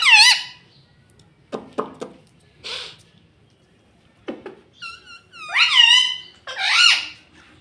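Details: Talking pet ringneck parrot. Scattered, short, voice-like syllables and tapping noises come first, then several loud, wavering, harmonic phrases that dip and rise, sounding like mimicked words.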